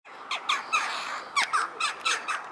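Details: A young jackdaw at Dartmouth, Devon, pestering tourists for food, gives harsh, rasping begging calls about three times a second in a rough, insistent series.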